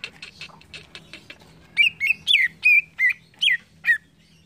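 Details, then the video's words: Cucak ijo, the green leafbird, singing a chain of about seven loud whistled notes, each rising then dropping, after softer scratchy notes at the start; low steady hum in the background. "CUCAK IJO BAHAN CEPAT NYAUT DENGAR CUCAK IJO INI"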